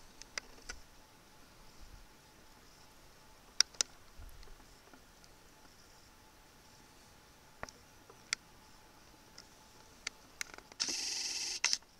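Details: Quiet indoor room tone with a faint steady hum, scattered sharp clicks, and a brief hiss of handling noise near the end; no animal calls.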